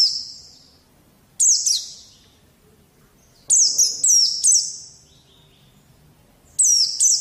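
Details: White-eye training song for young birds: sharp high chattering whistles with descending slurs, delivered in short bursts of two to four notes with pauses between them, over a quiet background.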